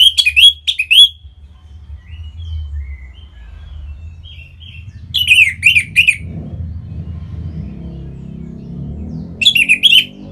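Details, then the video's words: Bali orange-headed thrush song for encouraging other birds to sing: three separate bursts of fast, sharply modulated chirping notes spaced several seconds apart, with faint soft whistles and low rumbling background noise between. "Punglor Merah Lagi Berkicau.. Untuk Pancingan Bunyi"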